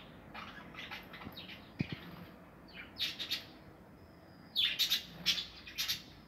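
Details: Budgerigars breeding in an aviary with nest boxes, 2020: faint twittering builds into louder, closely spaced sharp chirps and squeaks toward the end, with a few dull knocks early on.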